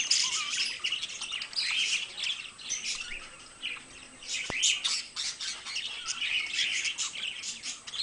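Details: Two pet budgies in steady, lively chatter, harsh squawks and chirps alternating with scratchy warbles in rolling bursts; one sharp click partway through.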